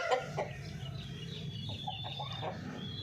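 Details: Golden Misri chickens giving short, scattered clucks and a thin high note, quiet and uneven over a low background hum.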